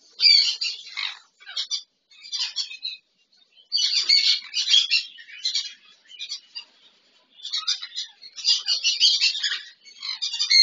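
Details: A double red factor sun conure and a normal sun conure playing in an aviary give harsh, grating squawks in quick bursts with brief pauses between.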